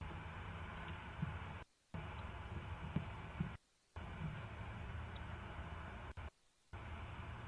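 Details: Low mechanical hum and rumble, broken by several short dropouts into silence, with a few faint clicks and no animal voice.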